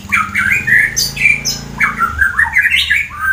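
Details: Loud white-rumped shama song from Wonosobo, Central Java, Indonesia, meant to provoke rival birds into singing: a steady stream of rich, slurred whistles and squeaky notes, with a low hum underneath.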